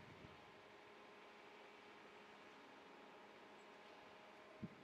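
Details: Quiet, steady fan-like hiss and hum with no animal voice, broken only by a single soft knock near the end.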